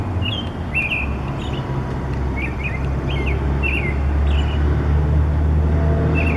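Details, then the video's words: Bird singing from a wire in the morning, brief whistled chirps recurring at irregular intervals, partly masked by loud low-pitched vehicle rumble that grows toward the end. "Bird Singing in the Morning"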